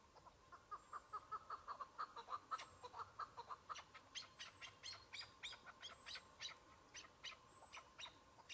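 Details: Chukar partridge on spring ground with patchy snow, a decoy and one wild partridge; a fast run of clucking notes gives way to scattered sharp, bright clicks and chattering bursts.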